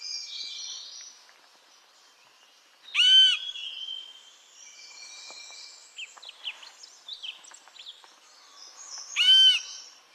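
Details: Lesser yellownape woodpecker giving two loud, harsh, harmonic-rich calls about six seconds apart, each brief and slightly descending, over quieter high chirps and twitters from other birds.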